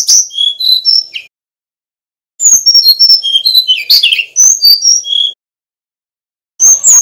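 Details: Male brown-chested jungle flycatcher from Bali, a master recording for training other birds, delivers rapid strings of clear high whistles and twittering notes in three bursts with pauses between.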